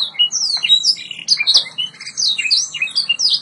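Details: White Yorkshire canary singing for training: continuous lively warble of downslurred whistles, sweeping notes and quick trills, loud throughout.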